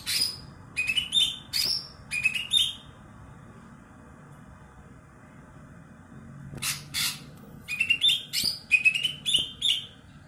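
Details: Greater green leafbird, kebo type with a loud ear-piercing voice and contest past, sings choppy phrases of rising whistles and buzzy strokes, falls silent for several seconds, then resumes with harsh bursts and fast whistling.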